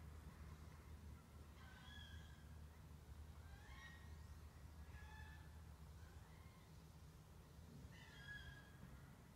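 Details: Wood ducks yowling on Muddy Creek, Finley National Wildlife Refuge, give thin, rising, whinnying squeals, about five in nine seconds, over a steady low rumble of wind or moving water.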